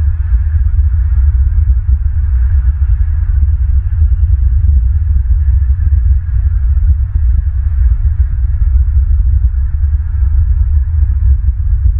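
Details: Constant low rumbling wind buffeting at an outdoor bald eagle nest camera in southwest Florida, with steady hum and no animal calls heard.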